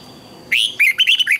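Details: A single fast red-whiskered bulbul phrase from morning singing used to train birds: a rising whistled opening followed by four quick bubbly twisted notes, loud and clear.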